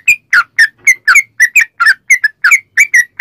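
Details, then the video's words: Sooty-headed bulbul chattering song used as a lure for other bulbuls: short whistled bubbly notes repeated about four times per second, varied in pitch. "trucukan gacor ROPEL PANJANG buat pancingan trucukan agar bunyi"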